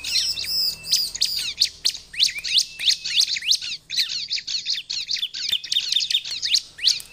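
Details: Bar-winged prinia song meant to lure wild prinias, busy overlapping chirps and quick rising-falling strokes, fast and slightly irregular throughout.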